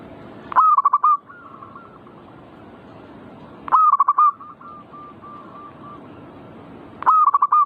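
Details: Zebra dove (perkutut) singing manggung to encourage other birds to sing: three loud phrases spaced about three seconds apart, a long note then a rapid broken trill, with soft drawn-out coos trailing after each.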